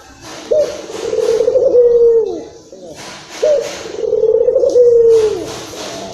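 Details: Excited local Barbary dove, for drawing in other doves: two long purring coos about three seconds apart, each with a clipped onset and a sliding fall, with brief rustling noises between them.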